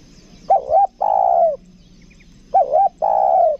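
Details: Spotted dove kept as a decoy bird, with a two-note 'kuk dua' call: a short wavering note, then a longer falling coo, given twice about two seconds apart against a quiet background.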